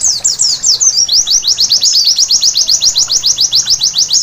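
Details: White-eye song at night, meant as therapy to prompt vigorous singing: a brief jumbled twitter opens, then a steady, even train of quick, high, downward-slurred chips repeats for the rest of the passage.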